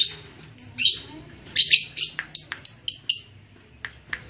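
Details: Red-headed lovebird in ngekek practice. Squeaky chirps build into raspy chatter, then a quick series of clipped whistles, then a couple of sharp ticks.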